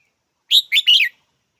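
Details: Red-whiskered bulbul giving one short, clear phrase of three quick chirpy notes, bright and slightly warbled, lasting about half a second in otherwise silent surroundings.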